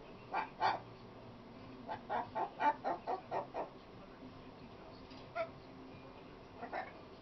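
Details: Talkative female pet macaw vocalizing indoors: quick bursts of short, clipped, harmonic syllables, a pair near the start, then a rapid run of about seven evenly spaced chattering notes, and a few isolated syllables later. Low steady background hum.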